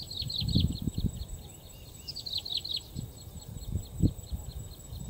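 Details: A skylark in the wild gives quick, high chirping notes in fast bursts, some rising, over heavy low wind rumble and a thin, steady high insect-like whine.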